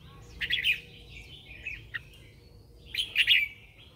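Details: Red-whiskered bulbul lure bird singing at dawn to draw wild birds: two lively bursts of warbled, chirping notes split by a short pause with a quiet single note, over a soft background hum.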